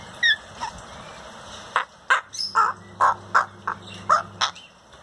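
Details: African grey parrot giving a run of short, harsh squawking calls, about eight separate bursts in five seconds, some with a whistled edge, over a steady low hum.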